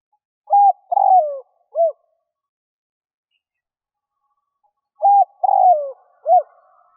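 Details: A spotted dove calls to draw in wild doves with two mellow phrases about four seconds apart. Each is a short note, a longer descending coo and a short closing note.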